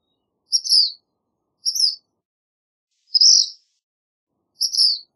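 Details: Black phoebe vocalizing with four high, husky, slurred notes spaced about one to one and a half seconds apart, clean background.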